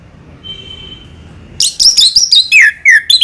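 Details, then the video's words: Orange-headed thrush (anis merah) singing: after a faint steady whistle, a quick burst of loud, high, varied whistled notes and slurred downward trills, phrases tumbling one after another with short gaps. "burung anis merah selow"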